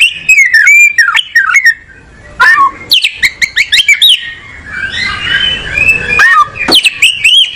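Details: Oriental magpie-robin song: quick runs of bright whistles and sharp chips, a brief lull, then fast clicking notes, scratchy warbles and rising whistled slurs.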